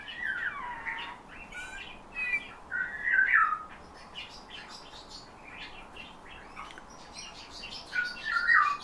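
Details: Owner-trained Eurasian bullfinch singing learned phrases copied from its trainer's whistling, with borrowed nightingale and thrush passages; soft fluty whistled phrases sliding downward, in short bursts separated by pauses, against a quiet indoor background.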